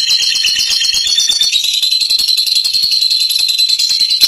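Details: Fighter lovebird in long ngekek song, a continuous rapid chattering trill of high buzzy notes, dense and unbroken throughout, the pitch stepping slightly lower midway.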